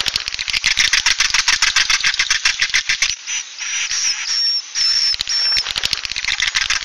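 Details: Swiftlet "suara inap" roosting sound: fast dry clicking mixed with high chatter, a short pause holding thin whistled notes, then the rapid clicks return.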